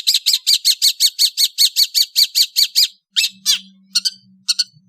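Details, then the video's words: A long-tailed bird from Indonesia sings in the afternoon: a quick, even string of about fifteen loud, ringing notes, then a pause and a few scattered sharp chips over a faint low hum. "THE SOUND OF INDONESIAN LONG TAILED BIRDS"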